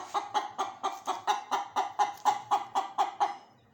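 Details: Rooster and hen chicken giving a steady burst of about fifteen evenly spaced, throaty clucks, roughly four per second, fading slightly at the end.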